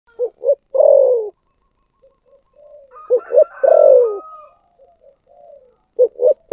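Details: Spotted dove cooing in the thổ sấm voice style: short low hoots, then a drawn-out falling coo, a pause, and the pattern again. A faint steady whistle sits above the coos.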